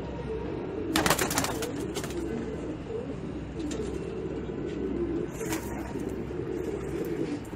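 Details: Several racing pigeons cooing in low, throaty, repeated phrases, broken by sharp clattering bursts early and late.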